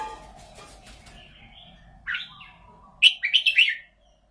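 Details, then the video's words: Red-whiskered bulbul in Thailand, admired for its golden voice: a lone sliding note, then a quick burst of four or five loud, lively whistled chirps near the end, with soft background hiss earlier. "นกกรงหัวจุก เสียงทอง"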